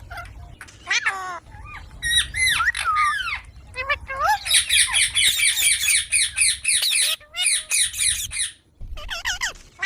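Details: Baby Indian green parrot talking: strings of harsh, harmonic, rising-and-falling squawks, then a rapid burst of about four sharp notes a second in the middle, with short pauses and faint low background hum.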